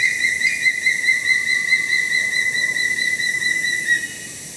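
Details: A juvenile Sulawesi hawk-eagle at Tangkoko Nature Reserve, Sulawesi, Indonesia, on 7 January 2017 gives one long, high, thin whistle lasting about four seconds, with a slight quaver. Faint forest hiss sits beneath it.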